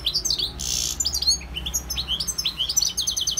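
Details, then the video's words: Goldfinch song packed with rapid, liquid twitters and sliding high notes, a brief harsh buzzy burst near the start, then a steady stream of bright chirps; faint low hum behind. "GOLDFINCH SINGING 1H Chant Chardonneret اسمع واستمتع صوت الحسون البري Jilguero Campero"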